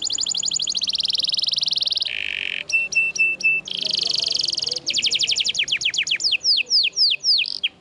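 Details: Canary, described as a strong-singing F1 SF tutor bird, giving a varied song of fast buzzy trills, a low nasal section, ringing metallic notes and sweeping downslurred whistles. A soft background hum is present.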